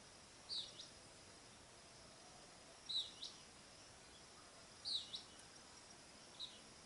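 Greenish elaenia giving short, high, thin call notes, one every two seconds or so, over a steady background hiss.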